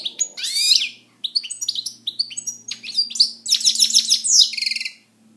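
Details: European goldfinch, a kept bird, singing loudly: a sweeping slurred note, then rapid tinkling twitters building into a dense buzzy chattering trill.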